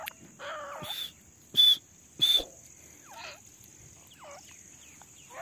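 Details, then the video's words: Female grey francolin calling non-stop in jungle, a call used to lure birds when hunting: three loud, sharp, high whistled notes about half a second apart. Softer down-slurred calls follow, and there is a thin steady high hiss. "Desi teetar madi ki awaz || desi female ki awaz"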